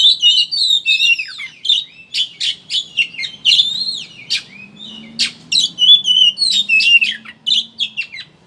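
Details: Oriental magpie-robin, locally kacer, ngeriwik chattering lure song to make birds sing: rapid, irregular string of whistled phrases and harsh chatters, about three notes per second, faint low hum in background.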